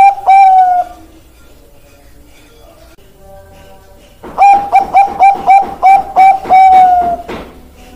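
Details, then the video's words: Perkutut bangkok, a zebra dove, ends one cooing phrase, falls quiet for over three seconds, then bursts into a rapid run of about ten clipped coos closing on a long, slightly sliding final note. "Perkutut Bangkok Suara Top Markotop"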